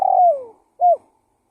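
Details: Part of a spotted dove lure call: the tail of a long, purring coo gliding downward, followed after a brief gap by one short, rounded coo. No other sounds.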